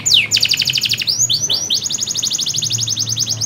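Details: Canary singing to encourage a canary that does not sing: a swooping downward note, a rapid trill, two upslurred notes, and a long fast even rattle.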